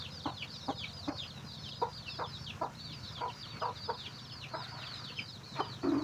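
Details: Chicken locating food for its chicks, clucking in a fairly steady series of short low notes roughly every half second, amid dense, high, downslurred chick peeps and a low hum.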